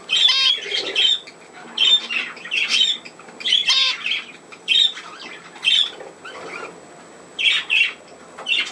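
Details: Playing budgerigars, 27 August 2024: harsh, grating squawks and chattering calls in short bursts roughly once a second, some with a buzzy ringing edge, separated by quieter gaps of soft chatter.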